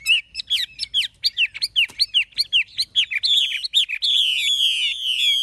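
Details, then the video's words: Caged adult, wild-caught Chinese hwamei singing in true forest-voice style: a fast run of loud, clear, slurred whistled notes repeated about two to three per second, building into sustained rich warbling trills toward the end. "Họa mi già rừng chuẩn giọng rừng hay"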